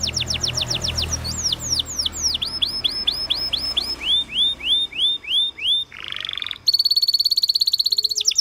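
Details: Canary singing: fast falling notes, a run of repeated upward-hooked whistles, a brief buzzy sweep, then a rapid high trill.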